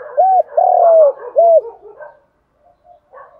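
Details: Cooing of a spotted dove: short arched coo, long level coo, short arched coo in quick succession, trailing into soft low burbling and a few faint notes.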